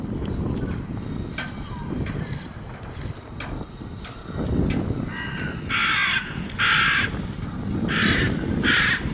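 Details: Small flock of common starlings at the harbour of Porto Torres, Sardinia, on St Andrew's night 2014; after a low rumbling background, four loud, harsh rasping bursts of about half a second each come from six seconds on.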